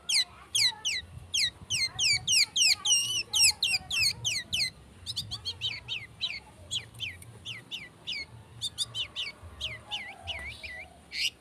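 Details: Long-tailed shrike lure song to provoke singing: long, lively string of sharp down-slurred whistled notes, about three to four per second, varied and chattering, with faint low background noise.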